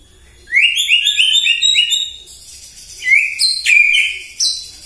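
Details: Morning song of a white-rumped shama used to provoke other birds: a quick stack of rising whistles followed by separate loud, high, ringing notes after a brief pause.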